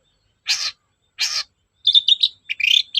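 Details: Long-tailed shrike, a lure recording meant to stir silent shrikes into singing: two harsh, rasping bursts, then a jumble of quick twittering and chattering notes.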